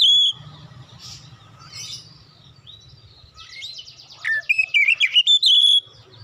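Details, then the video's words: Provoked into singing, an untrained oriental magpie-robin starts with one clear whistle, then after soft twittering delivers a fast string of loud rising and falling whistled notes in the last two seconds. "KACER BAHAN TERPANCING LANGSUNG GACOR"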